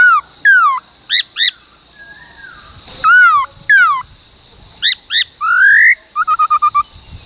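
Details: Laughingthrush in song training for many voices and 'cô trói cột'. Downslurred whistles in pairs, a long rising whistle, then a quick even series of short clipped notes, all over a steady high hum.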